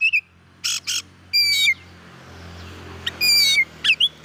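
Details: Oriental magpie-robin song intended to provoke other magpie-robins: scratchy bursts and clean descending whistles, spaced out, over a steady low background hum.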